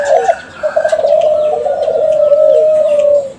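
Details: Kelantan-type spotted dove, a caged bird from a champion contest line, cooing as a lure for other doves. A short note runs into one long, steady, slightly quavering coo, with faint high chirps behind.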